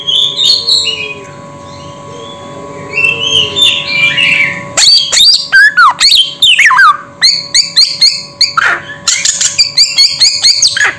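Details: Samyong bird: quiet warbling notes at first, then from about five seconds a loud sequence of falling whistles, sharp clicks and rapid chattering squawks.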